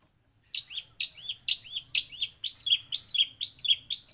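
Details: Long-tailed shrike giving a master song with sparrow and prinia mimicry: paired high notes, a bright chirp followed by a curved whistled slur, repeated about every half second in a clean recording.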